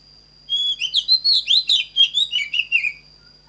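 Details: Magpie-robin training song: after a brief lead-in whistle comes a dense two-and-a-half-second phrase of rapid, varied warbled whistles, pitching up and down before trailing off. A thin steady high tone is heard throughout.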